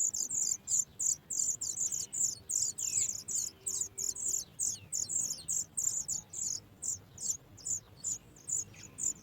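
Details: Nestling sooty chats calling while adults deliver food; dense, rapid high chirps, almost three per second, loud and continuous throughout.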